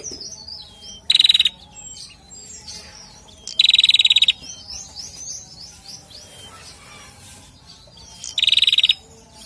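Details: Male bar-winged prinia gives three bursts of dry, rapid snapping ticks, each about half a second, roughly every two to four seconds, with high thin chirps and twitters from other birds between them.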